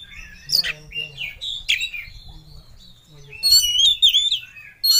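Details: Emotional kacer, the Oriental magpie-robin, calling out in ngobra fashion to find a rival. A few scattered harsh notes and short whistles lead into a loud, rich warbling flourish of high, quickly modulated whistles.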